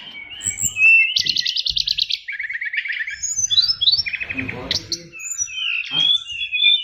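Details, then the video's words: Caged oriental magpie-robin, a fighter bird, singing a richly filled 'isian luber' song: rapid buzzy trills near the top, then clipped, rattling phrases and sweeping whistles that shift constantly in pitch, with a faint low hum beneath. "SRDC Fighter isian luber"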